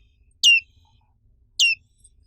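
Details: Two loud, high chirps from a black-capped white-eye, an Indonesian endemic, each sweeping sharply downward, a little over a second apart.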